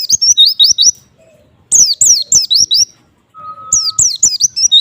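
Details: White-eye song to provoke other white-eyes: three bursts of rapid, high, slurred notes, falling then rising, with pauses between them, and a faint steady lower tone in one gap.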